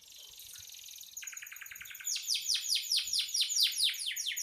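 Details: Canary singing vigorously (gacor), kept as a tutor recording for training songbirds: a thin high buzz rolls into rapid trills, then loud descending sweeping notes repeated about twice a second.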